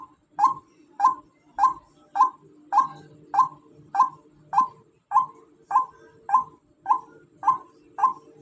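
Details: Female white-breasted waterhen delivering about fifteen sharp, evenly timed notes in eight seconds, each a quick rising-then-falling yelp, over a soft background hum.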